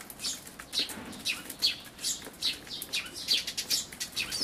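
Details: Eurasian tree sparrows, a parent feeding chicks at a feeder, 28 May 2013, Everio camcorder. Bright, high chirps repeat about once a second, some doubled or tightly clustered, with a few softer calls in between.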